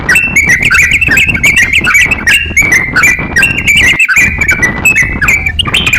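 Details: Crocok-cokan in full song, offered as a master recording for teaching songbirds: busy chattering phrases of clipped whistles and quick upslurs, one short gap near the middle, with constant low hum behind.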